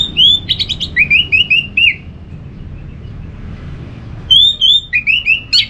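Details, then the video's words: Orange-headed thrush singing, played to encourage caged birds to sing under a cage cover or at dawn: a run of bright, rapid, repeated whistled notes, a short gap, then another burst of similar phrases. "Untuk Merangsang ANIS MERAH Berani Bunyi Dalam Krodong Ataupun Pada Pagi hari"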